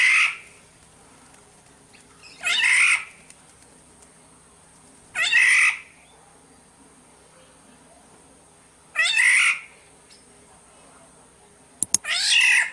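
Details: Black-naped oriole, the kepodang of Sumbawa, in a lure recording: harsh, nasal, cat-like rasping calls, each about half a second long, repeated at uneven gaps of two to four seconds, over a quiet background.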